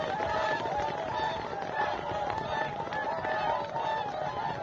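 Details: Whooper swan flock singing at Vandjala lake, Maardu, Estonia, 12 November 2023 at 7:45, before ice, snow and cold: a dense chorus of overlapping mid-pitched bugling, trumpet-like notes without pause, over steady background noise.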